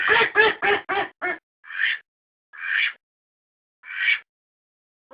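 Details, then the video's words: Domestic ducks recorded as decoy sound: five quick harsh quacks in a burst, followed by slower, spaced single quacks about one second apart with quiet between them. "アヒルの鳴き声 おとり用10分"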